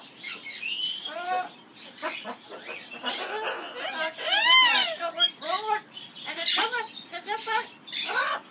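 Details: Amazon parrot in an aviary performing the skimmeradinkadinkadink song, with arched, warbling harmonic notes that swoop up and down, mixed with talk-like syllables and scratchy noise, delivered in lively irregular phrases.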